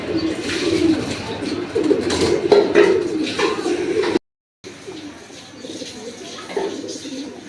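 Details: Young pigeons, newly bought from a market, let outside to sun themselves, give low, soft cooing notes, repeated in a loose rhythm.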